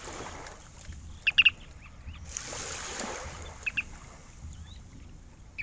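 Ruddy turnstone giving short, sharp, high clicking notes in brief clusters, a few seconds apart, over the wash of surf and wind.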